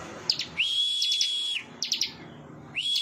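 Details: Ciblek, the bar-winged prinia, giving a drawn-out level high whistle with quick chip notes layered on top, followed by a cluster of sharp chips and the start of another whistle.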